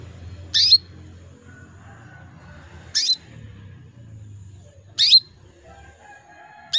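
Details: Female canary in breeding condition calling males: four brief, sharp descending chirps at about two-second intervals, with a low rumbling hum and a faint whistled note from another bird.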